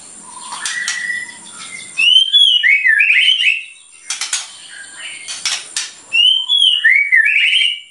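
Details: Energetic white-rumped shama song meant to rile rival birds: rich upslurred and looping whistled notes alternating with loud scratchy, crackling bursts, two phrase groups repeated within a few seconds.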